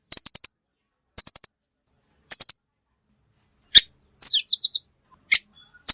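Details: Velvet-fronted nuthatch giving three short high chattering bursts, then sharp single clicks, a quick downslurred note and a few separate high chips.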